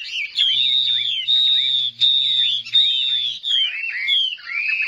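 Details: Fan-tailed Chinese hwamei in competitive singing: a loud, continuous run of rich whistles, slurred up-and-down phrases tumbling high and fast, over a faint low hum.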